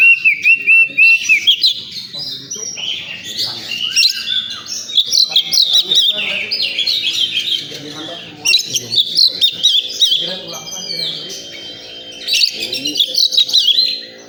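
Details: Oriental magpie-robin singing at a songbird contest area: a dense, high stream of varied whistles, trills and chattering phrases with short pauses, a faint murmur of people talking beneath.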